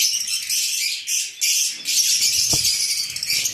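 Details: Lovebirds chattering in a continuous, shrill, high-pitched stream with one short dip in the middle and a single soft thump partway through.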